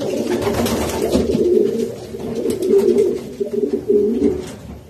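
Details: Racing pigeon giving clear, deep, rolling coos in drawn-out phrases that swell and fade, with light rustling behind.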